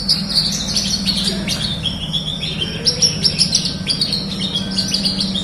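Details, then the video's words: Horsfield's bush lark singing, a recording played to encourage silent larks: a tumbling series of high twittering and slurred notes, fairly continuous, with a low electrical hum behind. "masteran audio terapi branjangan gacor,pancingan untuk branjangan macet bunyi"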